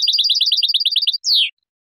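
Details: European goldfinch clean song meant for teaching juveniles: a fast run of repeated bright chirps followed by one long descending slurred note, then silence.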